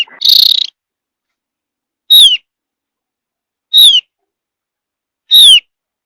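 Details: A buzzy, rasping burst opens, then three clear descending whistles at roughly even gaps from a Javan grey-throated white-eye, a high mountain forest species whose song is used to lure other birds into answering.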